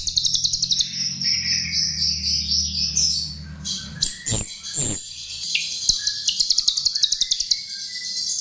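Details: Chestnut-tailed starling singing as a lure: rapid stuttering high trills, a pair of sharp descending squeals midway, then level whistled notes and renewed fast clicking chatter.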